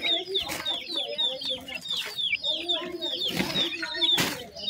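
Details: Several painted francolin chicks only days old, giving constant high, sharp, falling cheeps that overlap densely, with a few brief noisy rustles or thumps.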